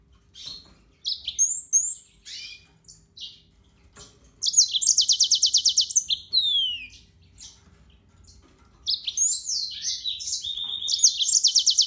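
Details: Yellow-fronted canary singing phrases of quick rising whistles and a long rapid trill, with a descending series of slurred notes, then another whistled and trilled run after a pause.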